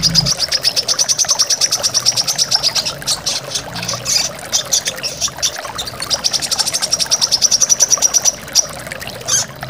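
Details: Brown-throated sunbird, known locally as korlap or kolibri kelapa, recorded as a master song for training caged birds. It gives long, fast, rattling series of very high notes, breaks briefly midway, then resumes with another rapid high series.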